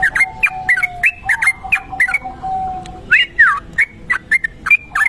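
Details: Lure recording of a kebo-type Sooty-headed bulbul in long ropel song: crisp whistled phrases in fast runs, a short pause near the middle, then louder slurred notes, over a faint steady tone.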